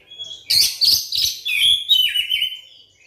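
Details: Lure song of an Oriental magpie-robin meant to spur quiet birds to sing: one continuous, loud phrase of fast, scratchy trills blending into sweet sliding whistles that drop in pitch toward the end.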